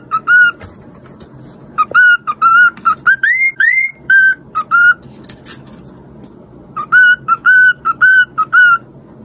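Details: Cockatiel whistling a learned aria in clear tonal notes, with short repeated whistles and a pair of rising slurred notes. A pause of about two seconds is followed by a further run of steady whistles.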